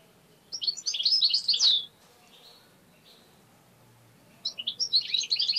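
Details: Goldfinch kept as a tame pet, known for attacking the hand, delivers a fast jingling twitter, falls quiet for over two seconds, then starts another bright burst of rapid chirps.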